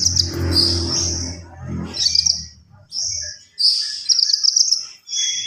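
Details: Javan pied starling singing actively, full isian style: high thin sustained whistles and trilled squeaky phrases in separate bursts, a low hum under the first seconds.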